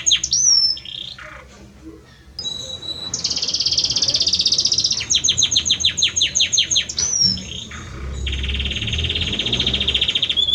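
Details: Singing hard to his female, a Belgian canary gives a sharp whistle, then a sustained buzzy roll, a rapid run of ticking notes, a rising whistle and a long even buzzing tour; faint low rumble beneath.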